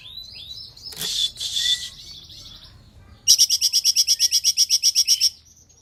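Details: Cungkok tutor song for training songbirds: scattered high whistles and a rough rasp, followed by a fast, regular burst of around fifteen piercing chips lasting two seconds.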